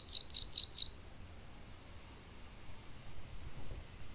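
Pallas's bunting gives four quick, high, thin chirps in under a second, evenly spaced, then quiet with only a low rumble behind.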